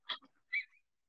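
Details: Eurasian Wigeon, a UK waterbird, giving a single high, squeaky-toy-like whistled 'wheeoo', rising then trailing off, after a brief rougher note.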